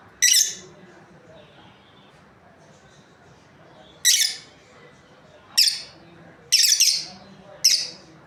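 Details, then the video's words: A pair of breeding lovebirds; isolated shrill, grating chirps spaced several seconds apart, one a quick double, over a quiet room background. "Happy lovebirds chirping sounds| breeding pair"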